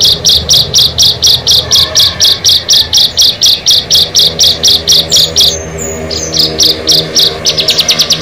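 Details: Bar-winged prinias, six birds gathered: a long, rhythmic string of short, buzzy, high notes about three per second, briefly interrupted by thin whistles, then a quicker burst of sharp ticks.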